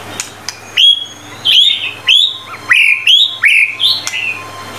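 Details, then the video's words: White-rumped shama song in a master-training recording: a series of loud clear whistled notes, each sliding up then holding, repeated about every half second with short gaps, over a steady low hum. "MURAI BATU GACOR FULL 25 MATERI MASTERAN MEWAH"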